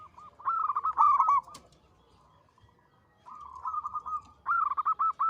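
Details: Local zebra dove singing in a big, long, sweet voice: a stuttering phrase of rapid coos, a pause, then a soft trill building into a loud run of clipped notes.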